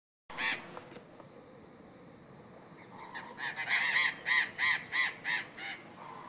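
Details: Burrowing parrot (Cyanoliseus patagonus conlara) gives one harsh screech, then a rapid run of about nine grating, honking squawks, roughly three per second, over a faint hiss.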